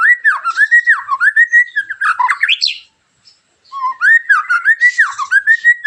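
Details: Sharp 'tembakan' song of a white-rumped shama used to lure other shamas into song: a rolling chain of loud, looping whistled notes with high buzzy overtones, a brief pause, then the chain resumes.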